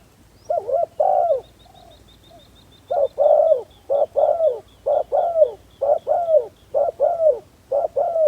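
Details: A spotted dove used as a decoy to lure wild doves gives loud, hoarse three-part coos. After an opening pair, six phrases repeat roughly every two-thirds of a second. A faint, rapid series of high ticking chirps runs behind.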